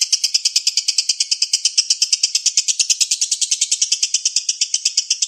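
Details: Rapid "konslet" lure song from a lovebird: shrill, buzzy chirps running about three per second without pause, even in pitch and volume.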